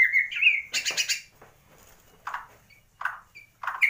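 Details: Bornean 'gembung' white-rumped shama from Kalimantan, Indonesia, whose song carries imitations of swiftlet, sparrow and lovebird: clear whistled notes and a harsh chattering burst, followed by soft, low, short calls spaced about every second.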